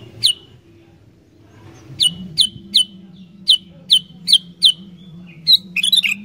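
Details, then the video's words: Sooty-headed bulbul in lively song: a string of loud, clear chirped notes, each a sharp slurred drop, spaced about every third of a second after a pause, ending in a rapid jumbled twittering flourish over low background hum. "Burung Kutilang Gacor Dooor, Cepat Bikin Kutilang Liar Langsung GACOR"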